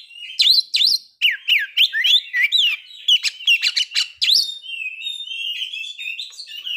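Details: Song of a white-rumped shama meant to trigger breeding readiness and aggression: a rapid sequence of looping whistled notes with harsh broadband accents, ending in a softer, sustained warbling.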